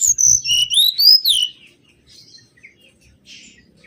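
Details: Mangrove whistler song recorded as a lure: a loud slurred whistled phrase, a high descending note then rising and falling notes, lasting about one and a half seconds, followed by faint distant chirps.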